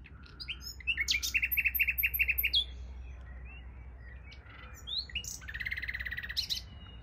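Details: A common nightingale beside a bike path sings rich, varied phrases: a fast run of repeated chooks, whistles, then another rapid rattling trill, with a low steady hum beneath.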